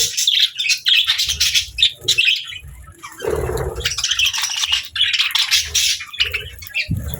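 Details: Pet budgerigars among lovebirds, playing and feeding; bursts of high chirps and harsh squawky notes separated by short pauses, with a rustle or wing-flutter around three seconds.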